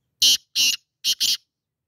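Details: Black francolin call: four loud, harsh, grating notes, a pair spaced apart followed by a tighter pair, each rasping note short and broad, over a silent background.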